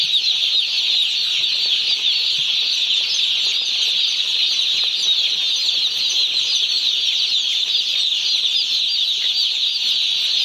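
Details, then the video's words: Many day-old chicks held on a poultry farm fill the air with unbroken, shrill chirping, hundreds of rapid overlapping peeps forming a constant high chorus throughout, with soft scuffling underneath. "Hear the Chirps of 1-Day-Old Chickens From Our Poultry Farm!"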